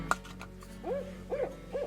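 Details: Barred Owl hooting on a cold, foggy winter morning at a camp on Wolf Lake, Temagami wilderness, Northern Ontario: three mellow, arched hoots about half a second apart, each rising then dropping, after a sharp nearby click.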